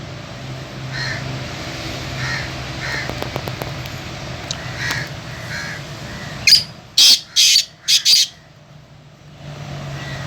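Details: Sindhi Latto partridge, kept in full fighting fettle and said to call all day, gives a sudden loud burst of four or five harsh, broad calls about six seconds in, after faint repeated notes over low background hum.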